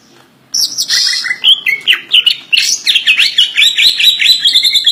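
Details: Greater green leafbird kept as a songbird, singing a full, phrase-packed song: after brief quiet, a high buzzy burst leads into a fast, varied run of sharp chirps and looping whistled notes.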